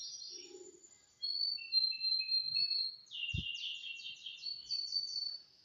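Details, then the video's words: Canary practising its song on a Thursday morning, 18 December 2025: high, clear whistled notes held steadily, a lower sustained tone beneath, then a fast buzzy rattling trill ending in bright rising whistles, with a brief soft thump midway. "Latihan Bunyi Ngeriwik"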